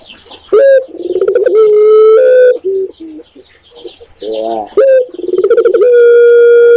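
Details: Spotted dove, called tekukur in Indonesia, delivering two full song phrases: an abrupt rising opener, fast throbbing coos, and a long flat hoot held at the end.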